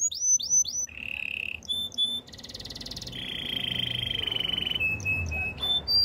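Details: Canary training song, sung loud and close. It opens with falling whistled slurs repeated three times, then a steady trill and a dry rapid rattle, followed by a long rolling high tour and short clipped notes.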